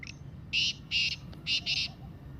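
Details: Kala Teetar (black francolin) call phrase: a faint opening note, then four broad, grating notes, the last two close together. It is offered as a call to stimulate quiet pet francolins.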